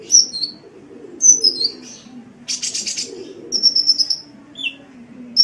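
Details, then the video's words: Sunbird song for training cage birds: thin sliding whistles, a dense buzzy burst, then a rapid string of sharp high notes, a brief lower chirp and a final whistle. "Masteran Suara Kolibri"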